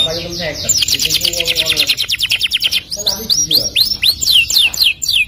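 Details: Canary singing a long loud song: rapid rolled trills of repeated high notes, then a series of sweeping whistled slurs, with faint background speech.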